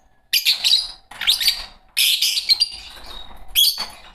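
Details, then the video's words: A green Fischer's lovebird pair kept as pets gives four loud bursts of shrill, scratchy high-pitched chatter, each about half a second to a second long, separated by short quiet gaps. "Lovebird singing & chirping sounds -Green Fischer Pair"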